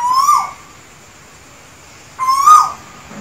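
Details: Asian koel singing in Sri Lanka: two clear whistled notes about two seconds apart, each sliding upward and ending with a brief accented lift, over a quiet background.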